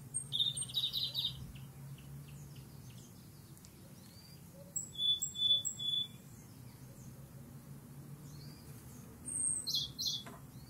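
Tenerife Robin singing thin, very high phrases of sweet notes and trills in three short bursts, with pauses between, over a low background hum.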